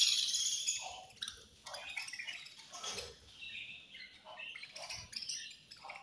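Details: Budgerigars at feeding time, eating and fighting, with rapid irregular chirps, scratchy chatter and occasional squawks, loudest at the start.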